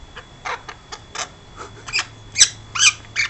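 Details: A 12-week-old pet princess parrot indoors gives short, high, squeaky chirps and scratchy notes at irregular intervals, with a brief louder squawk near the middle and a faint low hum beneath.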